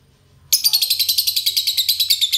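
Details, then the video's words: Lovebird in ngekek style, a euwing bird recorded as a training master: after half a second of quiet, a long unbroken run of fast, shrill, buzzy pulses begins and keeps a steady rapid rhythm to the end. "Lovebird euwing ngekek"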